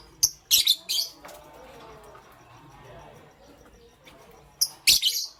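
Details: Morning chirping from pastel gray and green lovebirds: an opening burst of three or four shrill, buzzy chirps, a long quieter stretch, then another tight cluster of sharp chirps.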